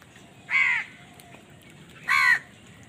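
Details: Two loud, harsh crow caws about one and a half seconds apart, given as crows fight for food; otherwise quiet.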